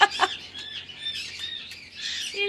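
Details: Pet cockatoo chattering at home with its owner, producing a continuous scratchy, raspy squawking warble with a few sharp onsets, over low room hum.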